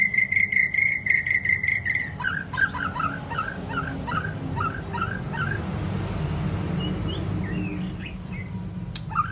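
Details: White-rumped shama played to train long, varied song; a steady pulsed whistle on one pitch, then a run of short chattering, bouncing notes, over a constant low background hum.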